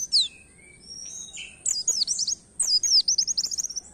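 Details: Canary-style song of an Oriental white-eye, meant to encourage other songbirds to sing; opens with thin drawn whistles, then two quick bursts of high, sweeping, twittering notes.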